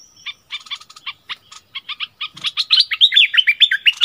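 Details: Streak-eared bulbul kept as a decoy bird, recorded 16 February 2021: sparse clipped chirps that build into a loud, fast run of bubbly rising-and-falling notes, repeated about four times a second.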